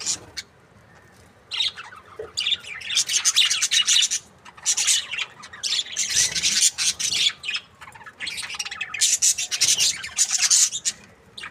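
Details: Happy breeding pair of budgerigars giving near-continuous harsh, rasping chatter and squawks, broken by brief pauses, the burst-like warbling rising and falling in loudness throughout.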